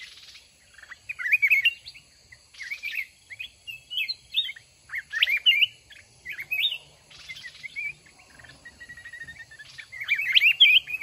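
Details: Mountain red-whiskered bulbul, caged one month and brought out for a fight-trapping test, singing repeated loud warbled whistled phrases roughly every one to two seconds, ending in a dense jumble of chirps.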